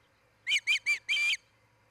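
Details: Nesting osprey on a Charlo, Montana nest cam, July 2018: three short piercing whistled chirps followed by one longer drawn-out squealing note, sharp and high, then silence apart from a low electrical hum.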